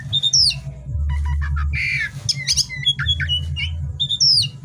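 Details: Oriental magpie-robin (kacer) singing vigorously ('gacor') at night: a varied run of clear whistles, short chirps and harsh squawky notes, including a sweeping whistle near the start and end, over a steady low hum.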